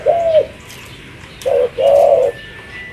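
A spotted dove gives soft, low, hollow coos: one drawn-out note, a pause, then a short note running into a longer one, at a slow, even pace.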